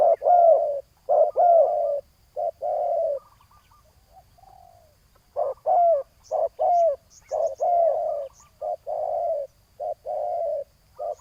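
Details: Spotted dove cooing while a rival is lured toward a decoy on the ground: irregular groups of low, throaty coos with a quiet gap midway and faint high chirps.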